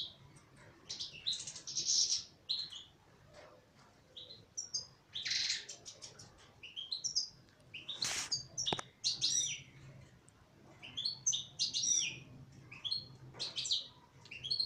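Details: Extended song of a caged female goldfinch: continuous fast twittering, tinkling notes and harsher buzzy bursts, with a sharp click or knock midway and a low hum beneath.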